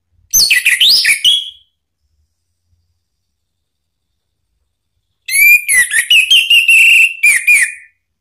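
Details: Orange-headed thrush (anis merah) song used as a lure to provoke a silent bird into answering: two bursts of bright, rich whistled phrases, rapid warbled notes sliding up and down, with a long silent gap between.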